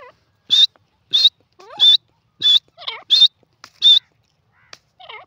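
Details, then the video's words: Francolin (teetar) calling: a loud series of sharp, high, ringing notes repeated about every 0.65 seconds, mixed with softer, lower curving whistled notes between them. "teetar ki awaz,the stunning sounds of francolin bird awaaz"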